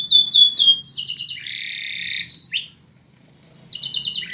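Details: Canary singing in mating context: loud, varied song of fast repeated high trills, a sustained buzzy roll, sliding whistled notes and a closing rapid trill, with faint low background hum.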